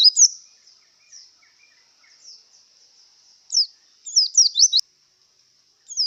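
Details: Javan white-eye in breeding condition giving scattered high, thin chirps with long quiet gaps, then a short cluster of rapid twittering notes near the end.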